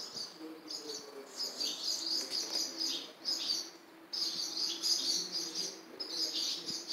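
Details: Barn swallow chicks in a nest at Jeongseon bus terminal, Jeongseon County, Gangwon-do, South Korea, crying for food brought by a parent. Bursts of high, shrill, buzzy chirping come in waves every second or so, with faint low background hum. Recorded on a smartphone.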